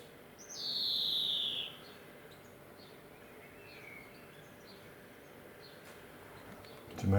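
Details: Male European greenfinch wheezing in a garden: one long, buzzy, nasal note slides downward over about a second, then a fainter short note follows. A man speaks softly nearby, and a low thump comes at the end.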